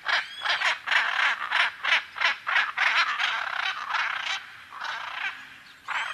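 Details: Macaw repeating coarse, nasal squawks roughly three times a second. The calls run together into a rough stretch before fading, then one last loud squawk.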